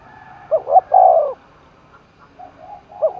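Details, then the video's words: Spotted dove roused for contest in Dong Nai, Vietnam: one clear coo phrase of two short notes and a long held note, followed by soft distant cooing. "cu gáy thúc đấu vang cả núi rừng đồng nai, cu gay kich boi nhanh noi gù"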